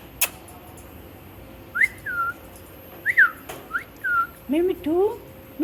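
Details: Talking pet parrot, said to repeat "Mitthu", produces several brief whistled slurs rising then falling, ending with lower wavering speech-like notes, while scattered clicks sound in a quiet room.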